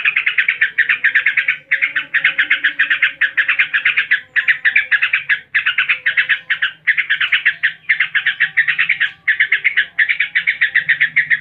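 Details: Long ngebren run from a yellow-vented bulbul (trucuk): over eleven seconds of continuous, fast-pulsed chattering phrases, each lasting about a second with tiny gaps between.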